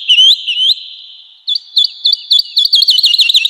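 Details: Singing woodlark in a spring forest, two drawn-out, upward-curving whistles, then a quickening string of sweet, repeated lilting notes that grows faster and denser toward the end.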